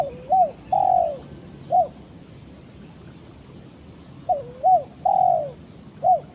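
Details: A spotted dove calls to its companion with two full cooing phrases: a quick pair of short rising-falling notes, then a long mellow coo sliding downward, the phrase repeated after about three seconds of quiet.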